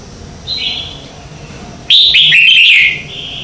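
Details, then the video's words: Morning song of a red-whiskered bulbul meant for training captive birds; one quiet slurred whistle, a pause, then a loud, fast run of cheerful warbled notes ending in a drawn-out whistle. "Luyện Chào Mào hót sáng hay nhất - To - Rõ - Vang | luyện giọng chào mào mới nhất 2019"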